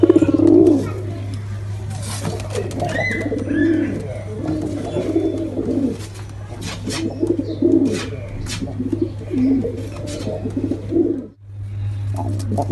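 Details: Male and female pigeons cooing together: low, throaty rolling coos in bursts, with a brief silent gap near the end and a steady low electrical hum throughout.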